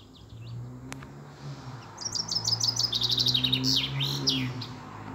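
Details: European robin song recorded on Easter Monday, 13 April 2020. After a faint note, a fast series of high, clipped repeated notes swells, then breaks into rising and falling slurred flourishes. A soft low hum sits underneath.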